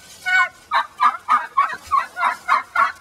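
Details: Angry hen back in the big pen after being attacked by flockmates, making turkey-like noises: a steady run of hoarse, nasal honking notes, about three every second, recorded through chicken wire.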